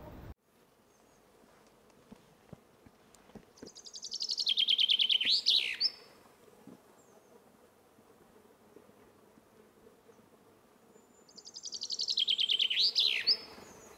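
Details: Common chaffinch giving two full songs about seven seconds apart, each a loud descending rattle of quick notes closing with a sharp down-slurred flourish; quiet clicks and faint hum between phrases.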